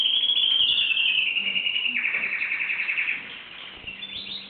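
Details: A singing canary delivers a long, rapid, even trill that holds steady, then drops slightly and fades toward the end, followed by softer twittering.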